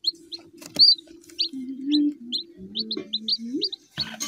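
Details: Chicken chick giving bright, high, slightly downslurred peeps in loose series. Lower rising and wavering tones run beneath them, with a faint steady hum and a few clicks.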